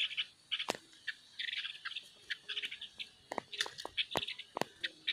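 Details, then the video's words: A female bird sings in quick clusters of bright chirping notes, some buzzy, with brief pauses between bursts and occasional sharp clicks. "Chơi chim cái lươn hót"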